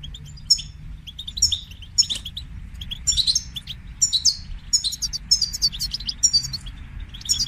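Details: European goldfinch calling and singing to motivate a caged goldfinch to sing: bright, tinkling high twitters and buzzy notes in bursts roughly every half second, over a faint low hum.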